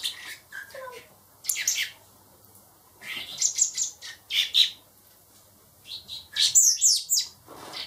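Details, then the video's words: Hand-raised nestling blackbirds, four young kept indoors before release, utter clusters of high squeaky chirps and harsh shrill notes in separate bursts with quiet gaps, a faint voice briefly audible early on. "Baby Blackbirds"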